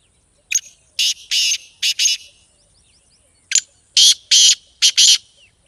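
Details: Black francolin, or kala teetar, calling in a playback intended to stir a kept bird into calling: two loud phrases, each a short clipped note followed by three to four rasping buzzy notes, separated by a brief pause, no other sounds.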